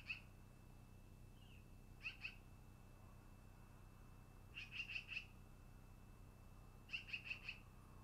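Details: At a long-eared owl nest, early afternoon on 10-08-2018, clusters of two to four short high chips come every two to three seconds against a faint constant electronic tone and low rumble.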